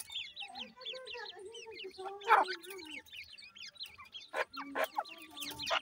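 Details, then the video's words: Grey francolin (dakhni teetar) chicks calling at the nest: rapid, thin, high peeping chirps in quick overlapping series, with a steady lower tone running beneath and a few louder broadband bursts. "gray francolin nesting,dakhni teetar chicks calling"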